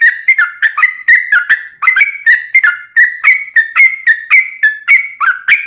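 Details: Energetic long rapid-run song of a sooty-headed bulbul, used to provoke other birds to answer: short liquid whistled notes bubbling up and down in quick phrases, about four per second, steady and clear, no other sounds.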